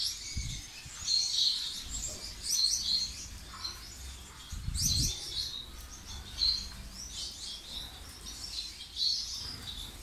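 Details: Gouldian finch in Tunisia giving bright, high chirps and short buzzy bursts, repeated roughly every second or two, over faint background rustling and occasional low bumps.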